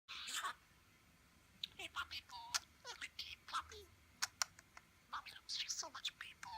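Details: A pet male talking budgerigar chatters to its owner's finger and nail in quick scratchy bursts, mixing clicks and short whistled notes.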